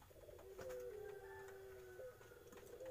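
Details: Young Eurasian collared dove giving a faint, drawn-out coo: steady low tones held for over a second amid a hissy background, indoors.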